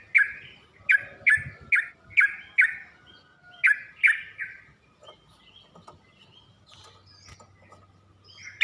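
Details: Yellow-vented bulbul (trucuk) singing on a training recording meant to teach young birds to sing: quick series of rich bubbling notes about every half second, then a quieter stretch with faint chirps and a low hum.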